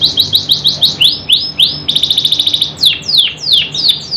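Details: Caged canary singing, used to prompt silent or reluctant canaries to sing: rapid repeated rising trills, then a fast buzzy rattle, then swooping descending notes, all high-pitched and loud.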